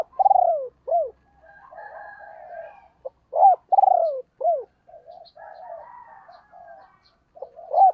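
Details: Female spotted dove used as a decoy, cooing to quickly provoke wild birds: loud throaty falling coos with short rising-falling notes, repeated twice, separated by soft murmuring coos.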